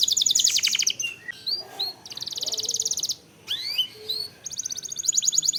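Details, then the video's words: Canary song used as lure audio to provoke other canaries into singing, with long rolls: dense high buzzy trills alternate with upward-sweeping whistled notes and short slurred phrases, then the rapid trilling rolls return. "Pancingan Kenari / Masteran Kenari / Dijamin Langsung Bunyi"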